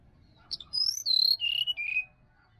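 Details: Wild sirdadu recorded in a Bali forest, song used to stir a caged bird into singing in the morning: a short phrase of clear whistled notes, each stepping lower than the last, after a brief high chip, over a quiet background.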